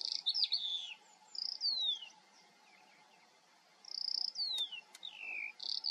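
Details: Song of a Eurasian skylark recorded in the Eifel, Germany: bursts of chirps and downward-sliding whistles separated by a quiet gap of about two seconds, with faint clicks.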